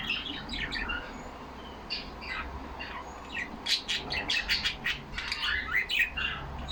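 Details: Yellow pet budgerigars in a cage talk among themselves: scattered quiet chirps and warbled notes at first, then a louder run of sharp clicky chirps and squeaks from several birds.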